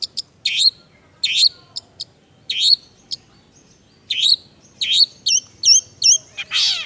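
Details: Kept long-tailed shrike singing a mimicry-filled song: bursts of sharp, high, scratchy chirps, then a run of repeated hooked whistled notes and a final harsh buzzy note.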